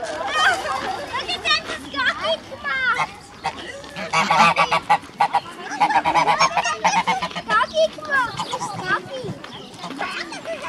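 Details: Free-range Pomeranian geese grazing grass at Zoo Zürich's petting zoo on 5 April 2016 honk loudly in harsh, nasal bursts while children tease them, their voices in the background.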